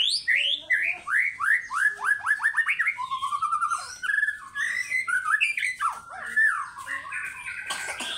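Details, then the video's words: White-rumped shama singing as a lure to make fighter birds sing morning, evening and night, ngekek material: loud rapid series of rising whistled notes, quickening into rolling trills, then varied chattering phrases with sharp upward slurs. "PANCINGAN MURAIBATU AGAR FIGHTER GACOR PAGI SORE MALAM FUEL MATERI NGEKEK MBESET"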